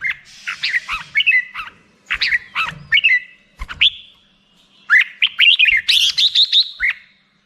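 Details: Black-crested bulbul singing in short chirpy phrases of rising and falling whistles, ending in a quick run of rapid notes near 4k before a final dip.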